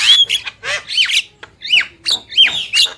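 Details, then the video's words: Loud, close song from a male and female black-winged myna: grating squawks alternating with arched whistled notes, delivered in quick pulses with a short pause midway. "Jalak Kebo Gacor | Burung Jantan dan Betina"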